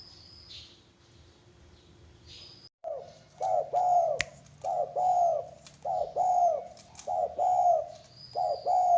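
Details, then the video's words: Zebra dove (perkutut) song, described as spooky and eerie, especially at night. After about three quiet seconds come soft, rolling cooing phrases of quick bubbling notes, repeated about every second and a half. A faint high hiss sounds in the background. "suara gaib perkutut bikin merinding"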